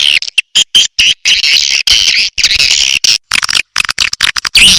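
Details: Swiftlet lure sound, SP BJA pattern, for calling birds in. Harsh, raspy twittering phrases of about half a second alternate with abrupt short silences, and a faint thin whistle shows within some bursts.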